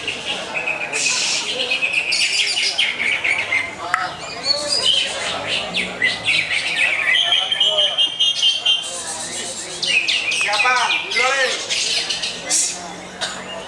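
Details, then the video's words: Greater green leafbird delivering a rich, varied song of rapid chirps, trills and sharp high whistles in quick succession, with steady notes near the top and human voices talking underneath. "Lagu Mewah Cucak Hijau"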